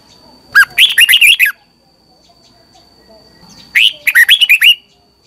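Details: Red-whiskered bulbul singing in the morning, a training song meant to spur other bulbuls to sing. Two bursts of quick, slurred, bubbly warbled notes, each about a second long, separated by a pause; a faint steady high whine runs underneath.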